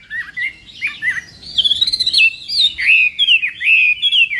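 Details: Chinese hwamei morning fighting song for voice training, opening with soft warbles and building into loud, rapid, fluty whistles with quick up-and-down slurs.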